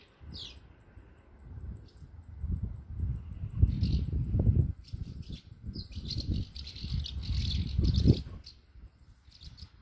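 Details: Swallows swarm at a single nest with chicks, Bulgaria; high chirps and twittering bursts over strong low rumbling, likely wind or handling noise, louder in the middle.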